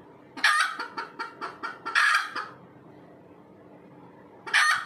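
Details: Red junglefowl calling after laying an egg: a loud squawk opens a rapid series of about six harsh clucks, then a long raspy squawk, a pause of two seconds, and another loud squawk.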